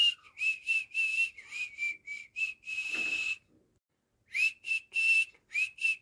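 A cockatiel gives a run of short, bright whistled notes, pausing briefly before whistling again.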